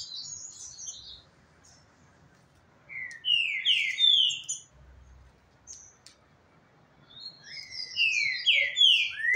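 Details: Captive Green-winged Saltators, an older bird and a younger three-and-a-half-year-old, singing near each other in Brazil, the older with a much more marked rhythm; two bursts of loud, rich, descending whistled phrases separated by a quiet pause, with faint higher chirps.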